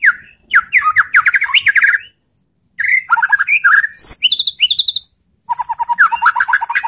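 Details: White-rumped shama song used as a lure to provoke other shamas into answering: rapid bursts of rich, warbled, up-slurred notes and fast trills in dense phrases, separated by short silent pauses.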